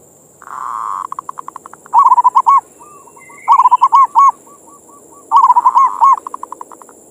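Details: Local zebra dove (perkutut) repeating its manggung bait song three times, each phrase a purring trill speeding into loud rolling coos and ending in spaced soft notes, with a quiet hiss behind.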